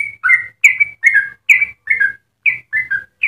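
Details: Melodious yellow-vented bulbul song for luring other bulbuls: clear, warbling double notes in short bursts separated by tiny gaps, with a faint low rumble underneath.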